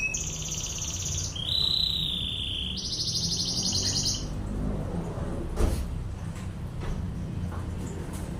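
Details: Singing canary delivering high rapid trills that change pitch every second or so, then fade out, leaving a low rumbling background with a single knock.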